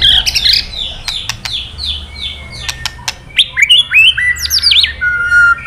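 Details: Kretekan of a male white-rumped shama, a sound used to stir a rival into song: a series of short downslurred whistles and sharp clicks, building to rapid bright whistled notes and a long steady whistle.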